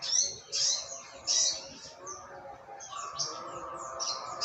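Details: Morning trotol ngalas song of an olive-backed sunbird from Yogyakarta: sharp, high chirps in short bursts, spaced irregularly, over faint lower background notes.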